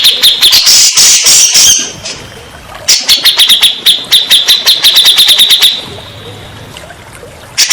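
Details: Song of a grey-cheeked bulbul, used as a lure to get stressed birds that have stopped singing to respond. Loud, rasping bursts open, followed by a long, rapid series of clipped chattering notes, then quiet.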